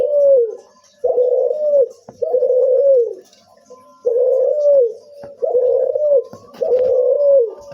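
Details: Barbary dove, a puter cuhu, making an unusual call: six drawn-out, husky coos, each level then dropping at the close, spaced roughly a second apart, with faint knocks and clicks in between.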